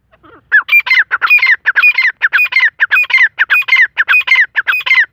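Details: Black francolin, called Irani teetar, giving a rapid series of harsh, grating multi-note phrases, each about half a second long and repeated without pause, loud and close against a quiet background.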